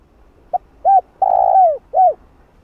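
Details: Spotted dove giving its calling coo to excite a decoy bird in training: a soft short lead-in note, a rounded coo, a long level coo that slides down at the end, and a last rounded coo.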